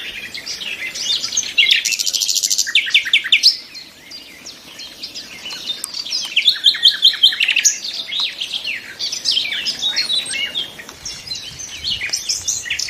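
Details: Several nightingales sing in a dense overlapping chorus of rapid trills, churring runs and twittered high phrases, with bursts of loud repeated notes throughout.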